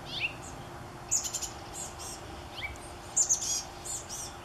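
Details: Chestnut-backed chickadee nestlings begging from their gourd nest during the morning before fledging in early afternoon; thin, very high chirps come in short rapid clusters about every two seconds, with a few lower slurred notes between.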